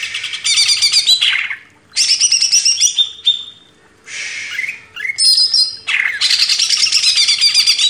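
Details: Vigorous Greater green leafbird song from a master recording meant to train cage birds: dense, buzzy, high trills in several bursts, with sliding whistles and short silent breaks between phrases.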